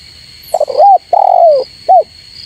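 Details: Low, mellow coo phrase of a spotted dove calling to rivals: hesitant opening coos, a drawn-out falling middle note, and a short arched ending, against a continuous high electronic whine.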